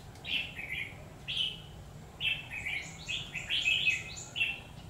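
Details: Red-whiskered bulbul fighting song from a trapping session on 17 October 2019: quick bright chirpy phrases of two or three notes, rising and falling, delivered in clusters that grow denser toward the end.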